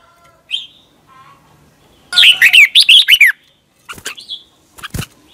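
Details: Red-whiskered bulbul in Thailand singing for young birds to learn: a single slurred note, then a fast run of bright warbling notes, followed by sharp clicks and a few softer chirps.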